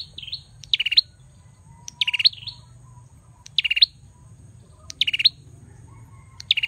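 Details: Song of a male bar-winged prinia: clipped bursts of fast buzzy pulses with a rising flick at the end, repeated roughly every second and a half, with short looping notes between; low steady hum.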